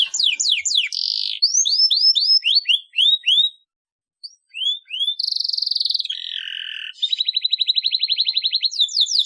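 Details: Vigorous canary song with long rolls, played to get lazy canaries singing. Rapid strings of falling whistled slurs, a brief gap, then buzzy trills and a long rattling roll of quick, regular notes.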